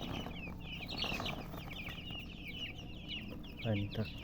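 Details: Baby chicks peeping in a busy cluster of high falling chirps, steady throughout, ending with a short lower voice-like sound near the close.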